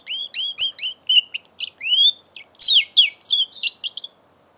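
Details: Five-month-old mule canary singing, filmed with an Android phone on 21 November 2011: a run of four quick rising, two-toned chirps, then a rapid varied warble of sweeping slurred notes and buzzy trills, with no other sounds.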